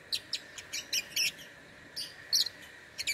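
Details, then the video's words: Singing lovebird from Singkawang, West Kalimantan, Indonesia, in an online contest: piercing high chirps delivered irregularly, about one or two each half second, with a brief louder double burst in the middle. "LOMBA LOVEBIRD ONLINE 4 - Aksi LoveBird"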